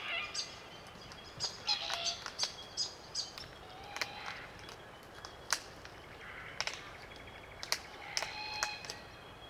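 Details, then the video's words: Glossy Black Cockatoos, a small flock feeding on Allocasuarina cones in the NSW bush, Macleay River valley; grating, creaky calls in bursts with irregular sharp clicks from their feeding. "Glossy Black Cockatoo Sounds - Creaky calls & clicking sounds while feeding"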